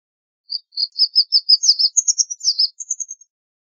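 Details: White wagtail with a lively run of short, high chirps that climbs in pitch midway and ends in thinner, level notes. The recording is otherwise silent.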